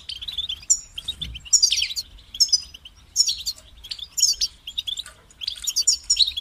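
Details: European goldfinch singing separated bursts of high tinkling twitters and buzzy notes about every second, with a soft low thump early on and faint hum throughout.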